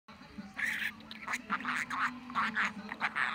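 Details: Pet budgerigar talking in top form on 23 November, giving a run of rapid, buzzy, chattering syllables in short bursts over about three seconds, with a steady low hum underneath.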